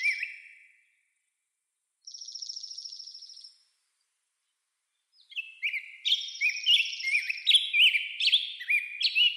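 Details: A short high buzzy trill, a pause, then an American robin's rapid string of short whistled phrases, up and down in pitch, repeated in a steady flow.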